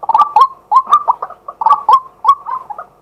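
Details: Male White-breasted waterhen, live daytime recording from a set-up camera: clustered hoarse, gulping notes in quick doublets and triplets, separated by short pauses.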